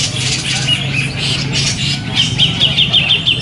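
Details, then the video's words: A Grey-cheeked Bulbul that won sessions A and B at a songbird contest on 27 September 2020 gives fast, scratchy high chatter, then a quick run of short, bright whistled notes near the end, over a steady low hum and background noise. "cucak jenggot LONG tampil mewah dan berhasil menjuarai lomba"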